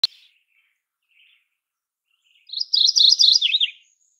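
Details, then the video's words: Mourning warbler (Geothlypis philadelphia), a songbird of eastern and central North America, giving its bright, repetitive warbled song: one quick phrase of about a dozen rolling notes that drops lower at the end, in a quiet background. "mourning warbler facts 🦜 calling"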